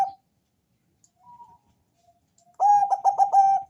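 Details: Lure song of a thick-voiced Bangkok zebra dove meant to get other doves calling: a held coo fades, faint soft notes follow, then a loud phrase of quick stuttering coos rounded off by a long note.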